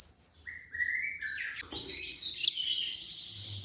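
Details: Olive-backed sunbird, recorded as training audio to spur singing: a high thin note, then lower rising slurs, a quick burst of four sharp ticks and a long, very high sustained buzzy tone.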